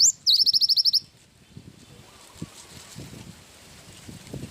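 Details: A single phrase from a cinereous tit singing in wingko style: a rising whistle, then a rapid string of about eight shrill chipping notes, followed by quiet low background rumble.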